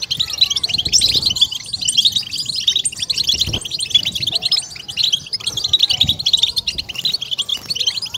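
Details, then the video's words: European goldfinch batbata song intended to stimulate and excite goldfinches: dense, high, tinkling twitter that never pauses, many overlapping chirps and trills, with a faint low knock now and then. "goldfinch bird singing"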